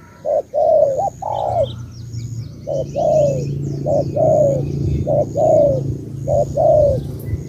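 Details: Spotted dove from Cà Mau repeats short paired coos, a quick note leading into a longer falling one, over a steady low hum. Faint high chirping from other birds is audible.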